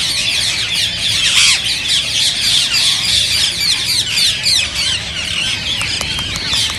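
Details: Loud, dense chattering of many rose-ringed parakeets, said to spur other parakeets to sing and mate; rapid shrill screeches overlap throughout, with short clicks near the close.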